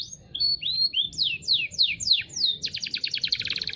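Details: Local canary singing a fast varied song: clear whistled notes and downward-sweeping slurs, then a rapid buzzy trill of repeated high notes in the final second, with faint low background noise.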